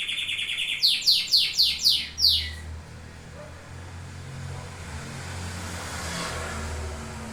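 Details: Domestic canary giving a short burst of song: a high note, then about six loud, sharply descending swept notes repeated quickly, followed by a low background hum and faint noise once the singing stops.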